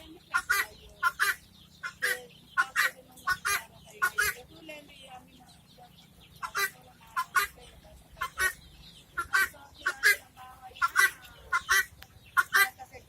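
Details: Guineafowl repeating loud, grating two-part cackles in an uneven series over thirteen seconds, pauses breaking the run into clusters, with a low background hum.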